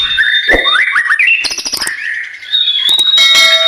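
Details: Lively white-rumped shama song used to draw other birds into song: fast slurred whistles and trills that climb and dip, broken by sharp clicks and a bright sustained high note.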